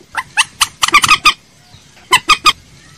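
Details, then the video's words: Common moorhen call used as a lure, Vietnamese name trích ré. A loose series of sharp, harsh clucks is followed after a pause by three evenly spaced abrupt notes. "Tiếng trích ré mồi chuẩn - tiếng cuốc biển"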